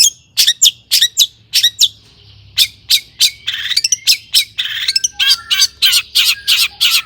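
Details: Long-tailed shrike lure song: evenly spaced sharp, scratchy squawks, then a rapid buzzy chattering stretch, then a steady series of harsh notes, over a low background hum.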